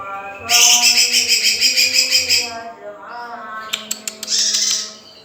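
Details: Young male lesser green leafbird in song, pouring out a fast, shrill, rattling sequence of high notes for about two seconds, followed after a pause by sharp clicks and a brief hissy burst.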